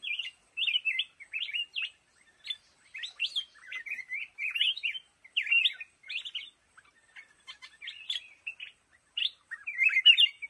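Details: Black-crested bulbul in bamboo thicket, delivering short, liquid, warbling phrases of a few wavering notes each, separated by brief pauses, roughly a dozen bursts in steady succession.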